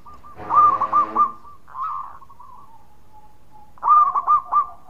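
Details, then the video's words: Loud local zebra dove with others replying: a stuttering four-note coo phrase over a brief rough rustle, a softer slurred coo from another bird, then the loud phrase repeated. "Raja Suara Keras Perkutut Lokal Gacor Sekali Bunyi Ikut nyaut Semua"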